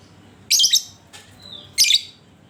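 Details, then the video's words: Lovebird song used as a lure to prompt other lovebirds to sing: two loud, harsh, high-pitched chattering bursts about 1.3 seconds apart, with a faint, thin descending whistle between them. "Panciangan Burung Lovebird"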